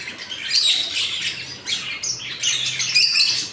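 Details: Many lovebirds in a breeding colony that includes peach-faced, opaline, green Fischer's and split mutations, with babies; thick, continuous high chirping and squeaky calls overlapping, with louder bursts every second or so.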